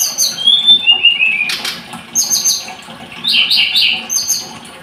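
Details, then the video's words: Blood-breasted flowerpecker song of thin descending whistles and high chips, a short wing flutter in between, then buzzy clustered notes. "Kicau Tledekan Gunung"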